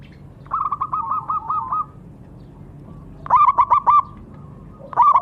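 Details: Zebra dove singing in bursts of quick, evenly spaced hollow coos, one run followed by a short emphatic phrase and the start of another, with faint low rumble behind.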